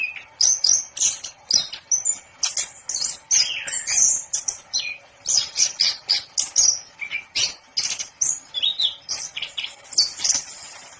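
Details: Anis kembang, or orange-headed thrush, pours out a long continuous song of rapid varied notes: high whistles, buzzy chips and short trills, densely packed throughout.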